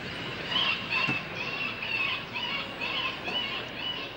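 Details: Harsh, buzzy common starling alarm calls broadcast over a loudspeaker at sunset in Leicester Square, London, to drive a roosting flock away, repeating in bursts under a steady hiss of noise.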